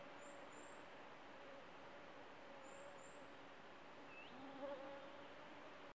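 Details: Goldcrest fledgling calling: two very thin, high-pitched double notes sliding briefly, about two and a half seconds apart, plus a short rising note near the end, all faint over steady background hiss and a low hum.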